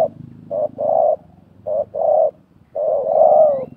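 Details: Spotted dove calling during 2024 decoy trapping, a wild bird and a decoy dueling: three phrases, each a short coo followed by a longer husky coo, the final one drawn out and wavering.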